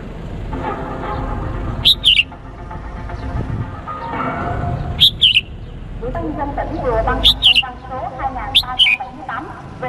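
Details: Male red-whiskered bulbul from Cambodia calling to a female, used as a decoy to lure wild birds: four short bright whistled phrases, each a quick rising-then-falling pair of notes, spaced about two to three seconds apart over constant low chattering background noise.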